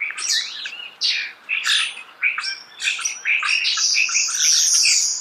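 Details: Starling singing close by in a natural setting: a dense, continuous run of high chattering notes, squeaky whistles and rasping trills, with few breaks.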